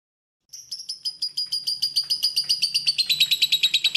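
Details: After a moment of silence, a lovebird bursts into clear song: quick buzzy chirps, first slightly higher and spaced, then tightening into a faster, louder chatter, recorded as a training song for songbirds.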